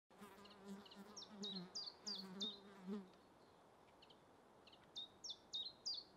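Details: A common chiffchaff sings its simple see-sawing 'chiff-chaff' song in spring deciduous woodland, bright high notes alternating in pitch about three per second, while a bee buzzes low through the first half.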